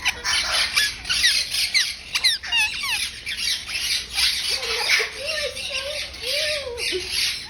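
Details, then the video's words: Indian ringneck parakeet at a pet store making adorable sounds: a string of short, descending squawky notes, then a wavering lower whistled note, over constant busy store background noise. "Indian ringneck making adorable sounds"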